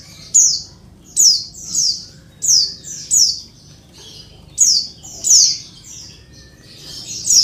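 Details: Female Oriental white-eye calling males, meant to make lazy males answer as in the wild: repeated thin, high, downward chirps in irregular pairs and triplets.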